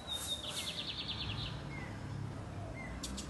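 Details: Lined seedeater song heard more distantly over background noise: a thin whistle followed by a rapid buzzy trill, then brief faint whistled notes.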